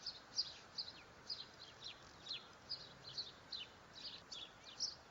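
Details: Dark-eyed junco (slate-colored) feeding on seeds gives soft, high, sharp chip notes, about two a second, over a steady outdoor hiss.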